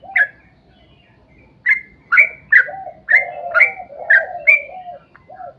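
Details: Yellow-vented bulbul in vigorous gacor song, the long ropel panjang style, recorded as a lure to set other bulbuls singing: bright chirped notes over short low burbling phrases, in separate bursts with pauses between.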